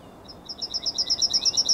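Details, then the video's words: Yellowhammer morning song recorded on 9 May 2021: high, clipped chirps that start softly and speed into a steady, even rattle of repeated notes, growing louder, with no final drawn-out note. "Trznadel i jego poranny śpiew"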